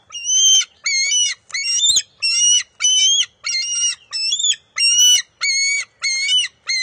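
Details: Wild bald eagle eaglet at the NCTC nest, June 23, 2021, squabbling with its mother over a fish; a rapid, insistent run of about ten shrill, ringing squeals, each roughly half a second long, repeated almost without pause.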